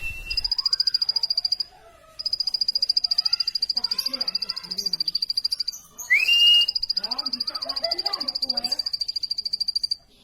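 A plain prinia keeps up a rapid, buzzy, high-pitched ticking run without pause, with people talking quietly underneath and one brief rising whistle.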